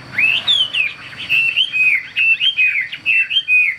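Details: Captive, tame Hwamei singing while spreading its wings in an eagle-like display: a fast run of loud, clear whistled phrases, each note sliding up or down, delivered in tight bursts of about three notes at a time.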